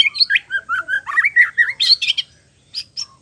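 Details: White-rumped shama in full song: a fast string of fluty warbled notes wavering up and down, ending in high sharp chips and two isolated clicks. The song is meant to trigger other males to sing.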